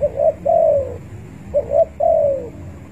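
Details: Spotted dove calling to rivals as a trapping lure: two paired phrases, a brief upturned coo followed by a long sliding-down coo, repeated about every one and a half seconds.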